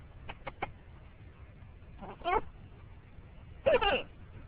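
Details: Pet green-winged macaw on a morning car ride, first making three quick soft clicks, then a short raspy call and a louder hoarse squawking burst near the end, over low road noise.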